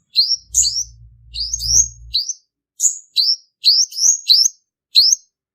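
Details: Male purple-throated sunbird lure song for trapping. Thin, high-pitched, twittering notes come in quick clusters, some sliding upward. A low hum runs underneath during the first two seconds.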